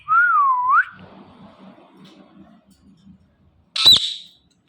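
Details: Talking ringneck parrot producing a clear whistled note that dips and rises again, followed by quiet murmur and then a sharp, loud click-like burst near the end.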